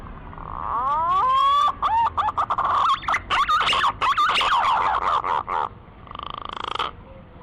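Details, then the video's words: Green pigeon call used as a hunting lure: a rising whistle swells into a long run of looping, warbled whistled notes, then ends with a brief buzzy, rasping burst; faint hiss behind. "SUARA BURUNG PUNAI PIKAT PALING JITU"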